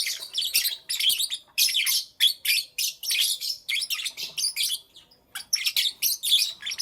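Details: Pet lovebirds in the morning produce rapid, shrill chirps and scratchy chattering phrases, repeated in quick bursts with one brief pause near the end.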